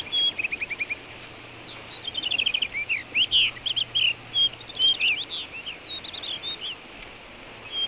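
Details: A common rock thrush sings in Shahdag National Park, Azerbaijan: rapid series of short repeated notes leading into loud, rich whistled and warbled phrases, a sustained varied stream of bright notes over a low background hiss.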